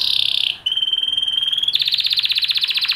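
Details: A Spanish Timbrado canary delivers a brief rattling trill, then a clean, slightly rising whistle, and then a quick chain of bright, repeated chopped notes.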